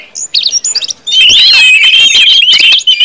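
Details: Orange-headed thrush singing ngeplong style as a lure to make other birds sing: quick high chirps, then a dense, sustained stream of fast buzzy trills and whistled warbles.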